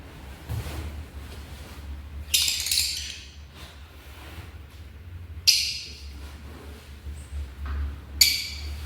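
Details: African lovebirds giving three short, harsh, broadband screeches spaced a few seconds apart over a low steady background hum.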